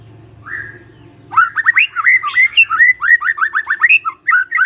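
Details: Magpie-robin song for coaxing birds to sing back: a short whistle, then a lively run of quick, repeated, varied whistled notes rising and falling.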